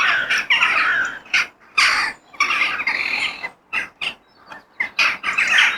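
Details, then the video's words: Crows in nature give loud, hoarse caws in separated bursts: a long rasping stretch, short sharp calls between pauses, then more clustered cawing toward the end. "The Sound of Crow In Nature"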